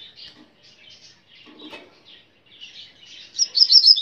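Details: A Double-collared seedeater (Sporophila caerulescens) sings a fast, high chattering song of twittered notes that starts soft and grows loud and bright in the final second.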